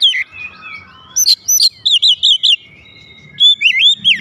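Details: Loud song of a house-kept oriental magpie-robin responding straight away: a long gliding whistle, then four quick looping notes repeated evenly, followed by a pause and more swooping whistled notes.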